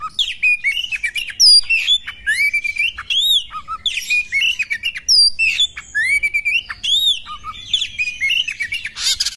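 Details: Female Oriental magpie-robin fighting, delivering dense rapid bursts of varied whistles, squeaky chirps and arching high notes, phrases repeating with irregular spacing and almost no silence, ending in a rough noisy burst.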